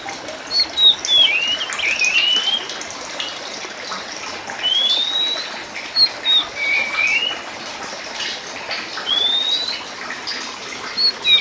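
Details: Oriental magpie-robin of the Sumatran race Copsychus saularis musicus, known as Kacer Poci, singing actively: clear whistled phrases, some rising slurs and some falling, broken by short gaps, over a steady background hiss.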